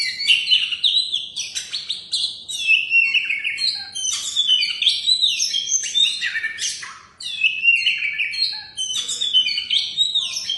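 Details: Competition champion oriental magpie-robin delivering a long, rich song of fluid whistles, buzzy notes and quick chirping phrases, one brief pause near the seventh second before it resumes.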